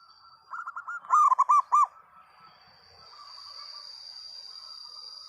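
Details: Local zebra dove delivering a loud song phrase: a soft trilled lead-in followed by four or five strong, ringing, arched coos in quick succession, then quiet with a steady high whine.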